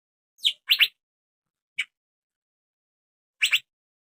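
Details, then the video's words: Asian fairy-bluebird, a young male, gives a few short, piercing chirps: a single note, then a quick pair, another lone note and a final doubled chirp, all in quiet surroundings. "PANCINGAN BURUNG CUCAK BIRU TROTOLAN JANTAN AGAR MAU BUNYI"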